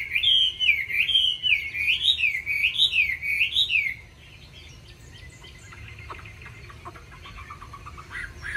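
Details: Caged Chinese hwamei singing in a quick, varied forest style: a wavy whistled phrase repeated about four times in four seconds, followed by quieter, scattered notes and soft clicks.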